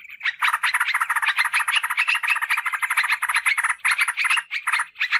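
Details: Yellow-vented bulbuls chatter in a dense, continuous stream of bubbly, slightly harsh mid-pitched notes, several birds overlapping with barely a pause; used as a lure call for wild bulbuls in forest or garden.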